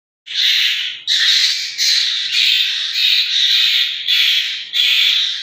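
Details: Asian koel chicks in Pakistan, harsh raspy squawks repeated roughly every three-quarters of a second, each a broad noisy burst held for most of the interval, loud and close with no other sounds.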